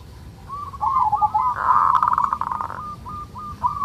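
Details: Local zebra dove, Indonesia, with raspy 'kerot' song to raise breeding urge: fast chattering notes building into a dense, loud rattling coo, then tapering into spaced clipped notes.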